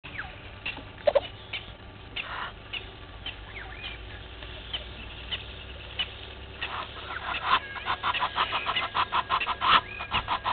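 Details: Red-billed hornbill at Gowrie dam waterhole, Djuma Game Reserve, Sabi Sand, South Africa, morning of 20 March 2021, looking for a meal: after quiet bird chatter, a rapid, rising series of loud clucking notes fills the last four seconds.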